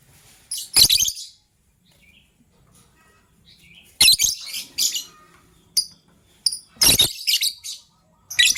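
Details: Caged lovebirds, gray and yellow-green, chirping in the morning while the gray one is ready to lay eggs; sharp, high, scratchy chirps in short bouts, some single notes, with silent spells between.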